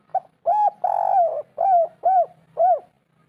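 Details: A 'kuk 3' phrase from a local spotted dove, played to stir reluctant birds into calling. Soft lead note, a drawn-out purring coo, then three rounded hoots about half a second apart.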